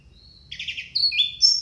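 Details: Orange-headed thrush, a loud lure recording used to prompt lazy or silent caged thrushes to sing, with varied fill: a thin whistle, then a rapid trilled burst and bright sliding whistled notes rising in pitch over a quiet background.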